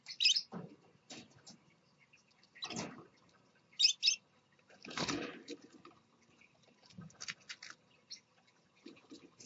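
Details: Scarlet-chested parakeet dad beside his babies; sharp high chirps alternate with noisy rustling bursts and softer, lower squeaks at irregular intervals.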